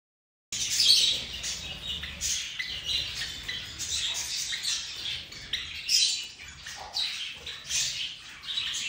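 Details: A pet Java sparrow exploring its new birdhouse chirps in quick, high, clipped notes and soft chatter, almost continuously with bursts every second or so; other birds chirp in the background, with a little rustling.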